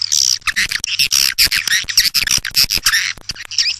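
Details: Dense, shrill swiftlet chatter: loud overlapping squeaks and buzzy chirps packed with clicks, continuous and harsh, over a low steady hum.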